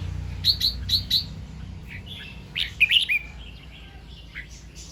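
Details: Red-whiskered bulbul singing in the morning in the doubled 2-3 and 'rik' styles: four crisp, evenly spaced whistled notes, then a short warbled phrase and scattered softer notes.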